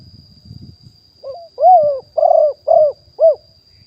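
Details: Live 2021 recording of a wild spotted dove used to call in wild birds. Low rumbling handling noise comes first, then a soft intro note and four loud, burry, downslurred coos spaced about half a second apart. A faint high hum continues throughout.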